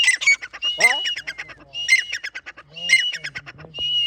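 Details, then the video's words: Partridge (teetar) calling: loud, harsh squawking notes in rapid bursts about once a second. Each burst opens with a bright high note and trails into stuttering clicks, with a faint low voice underneath. "تیتر کی آواز کی کی ویڈیو saaf awaz tetar ke"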